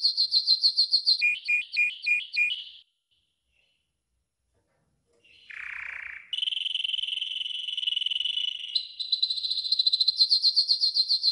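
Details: Training song of a yellow golden canary: clipped high pulses alternating with lower notes, a silent gap, a low warble, then long even trills and crisp high repeated notes.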